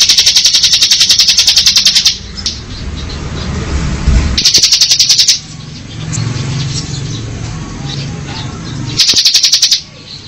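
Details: Bar-winged prinia ngebren trilling in three separate bursts, each a high, fast, buzzing rattle of one to two seconds, divided by gaps filled with low rumbling background noise.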